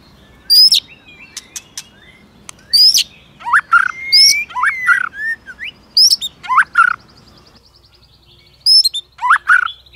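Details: White-rumped shama song meant to rouse other shamas to competitive fighting song; sharp high upslurred whistles and clicks mixed with rich descending fluty phrases, delivered in spaced bursts with short pauses.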